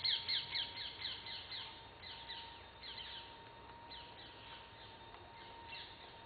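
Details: Great hornbill in jungle near Camp Corbett, Kaladhungi, Uttarakhand, in the Himalayan foothills of India, gives harsh, raucous barking calls about twice a second that fade gradually over several seconds, with a faint steady hum underneath.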